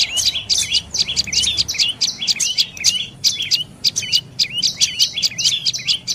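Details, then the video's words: Rapid, piercing chirps of a dark-necked tailorbird, repeated steadily for several seconds in quick clusters of sharp, high, slightly buzzy notes with tiny pauses between runs; nothing else stands out. "เสียงนกกระจิบคอดำDark necked Tailorbird Sounds"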